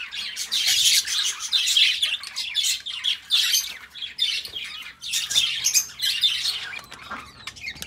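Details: Two pet budgerigars chatter together in busy bursts of high, scratchy chirps and warbles.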